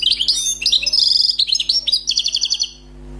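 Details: Newly caught wild European goldfinch singing a faultless phrase: sweet whistled slurs and tinkling twitters, then a run of crisp evenly repeated notes near the end.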